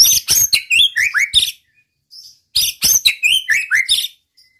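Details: Two near-identical bursts from a white-rumped shama singing to provoke rival males: quick high chips followed by descending slurred whistles, separated by a short gap and a soft thin note.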